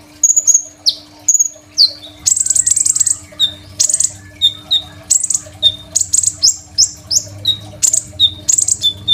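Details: Crimson sunbird song recorded by phone as a master song for untrained sunbirds; varied high whistles and downward slides mix with harsh, noisy buzzing bursts that come in a quickening, uneven sequence.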